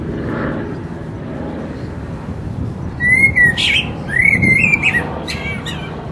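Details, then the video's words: A resident blackbird sings its mating song in full voice, with a quiet start giving way to rapid, rich warbled phrases that slide and end in high, scratchy twitters over a steady background rumble. "The mating song of a Black bird"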